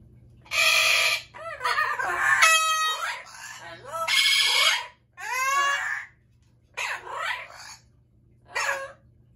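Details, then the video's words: Amazon parrot screaming loudly: harsh, raucous squawks and rising-falling shrieks in bursts about every second, with a buzzy low hum underneath. "Loud Parrots | Amazon Parrot"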